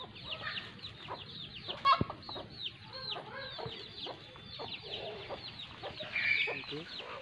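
A flock of hens clucking and peeping, with many quick, high, down-slurred notes overlapping throughout and a single sharp knock midway.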